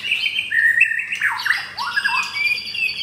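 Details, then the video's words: Pied F4 captive-bred white-rumped shama, kept caged in Kemayoran, Jakarta, delivering a coarse-material song of clear sliding whistles, short pauses, then dipping and rising slurred notes. "Murai Batu F4 Blorok Materi Kasar"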